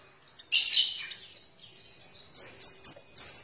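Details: Oriental white-eye song used as a lure to get white-eyes to start singing: a high, thin bright twittering burst, then a run of quick rising chirps repeated about every third of a second.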